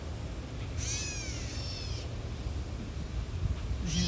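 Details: Nest-defending Catbird seen from a boardwalk, tail spread, uttering one long drawn-out meowing whine that slurs and fades, with the start of a second mew at the very end; low rumble underneath.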